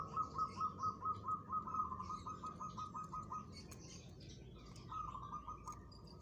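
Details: Local zebra dove challenging a rival, answering with its own calls: a fast run of soft, evenly pulsed coo notes at a steady low pitch, fading partway through and then resuming briefly, over faint background hiss.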